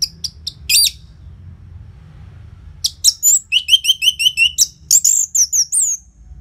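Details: Loud, nonstop song of an orange-headed thrush, used to lure and tutor caged birds into singing: a few sharp high notes, a pause, then a fast run of about ten repeated chirps that ends in slurred whistles.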